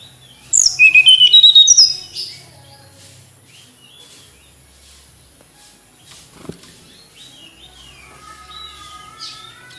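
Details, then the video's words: Short song of a tledekan gunung flycatcher: one rapid burst of bright, high twittering notes early on, followed by a long quiet stretch with faint thin calls and a single click. "Kicau Merdu TLedekan Gunung"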